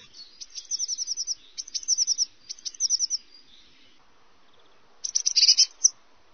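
Eurasian Blackcap song: three quick, high chattering phrases of rapid twittered notes, a short pause, then a brighter, louder phrase.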